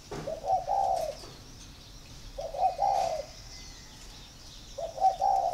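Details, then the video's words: Spotted dove cooing as a sign of readiness to pair: three soft, low hooting phrases about every two seconds, each a short note followed by a longer warbled coo, with faint background hiss. "Dấu hiệu để ghép chim cu gáy"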